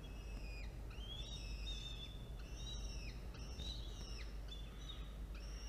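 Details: Falcon nest with two chicks, hatched 1 and 5 October, during a feeding at 1:54 p.m. on 13 October 2022 after an adult brought prey. Thin, whistled calls, each ending in a downward slur, repeat quickly over steady low background hum.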